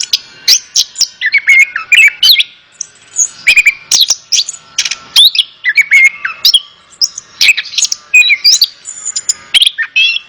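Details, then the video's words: Orange-headed thrush in rich song, used as therapy to make a reluctant bird sing back: varied whistles, bent slurs and sharp twitters repeated in rapid bursts about every half second. "Terapi Burung Anis Kembang | Atasi Burung Anis Kembang Malas Bunyi Ikut Nyaut"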